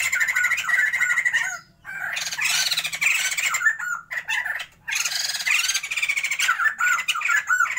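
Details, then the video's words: Caged Sumatran white-crested laughingthrush pair kept for breeding, bursting into long bouts of loud, harsh cackling laughter separated by brief silences, with a low hum in the background. "Pasangan POKSAY JAMBUL SUMATERA GACORRR"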